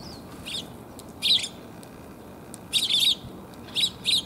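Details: Sparrows coming to be fed on a walk home on 1 January 2022. Short, bright chirps come in small clusters at about 1.3, 2.8 to 3.1 and 4 seconds, with a soft, steady background hiss.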